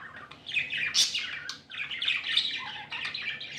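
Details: Budgies in a cheerful mood giving harsh, buzzy chirps and squawks mixed with thin whistles, in uneven bursts with a short quiet dip near the middle.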